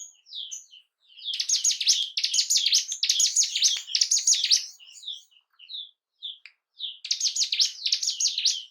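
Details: Song of the bar-winged prinia, known locally as ciblek gunung, used to trigger breeding drive and aggression in caged birds: long loud bursts of rapid grating notes, with scattered soft chirps between them.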